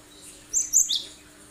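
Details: Cinereous tit, gelatik batu, giving a 'tembakan tajam' sharp shot used to draw other birds into song: three rapid, very high, piercing chirps in under half a second against quiet background.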